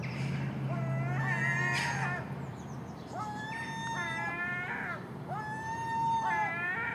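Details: Common gulls noisily feeding on garbage at a house in the early morning, with a magpie and crow present: a series of long, nasal mewing cries, some rising at the start, repeated every second or two over a low hum.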